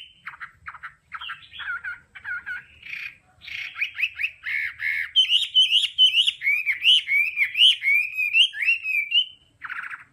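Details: Hwamei song of the đảo âm type, used for training a bird's voice: choppy short notes, then a long, loud series of looping whistles, rising and falling, ending in a short harsh burst.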